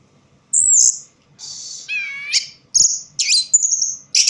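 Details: Low-light singing by an orange-headed thrush: sparse high whistles, a buzzy rasp, a softer wavering note, then sharp clicks and a long thin whistle.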